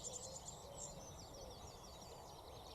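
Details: In early May 2020 at Sawbridgeworth Marsh nature reserve, a sedge warbler gives a fast, scratchy, rather faint run of high chattering and trilled notes among spring birdsong including a reed bunting, over steady wind hiss.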